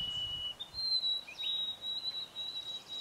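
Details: White-throated sparrow singing in New Brunswick, Canada, on 13 May 2011: a pure, thin whistle that steps up from a lower note to a long sustained higher tone, with faint background noise.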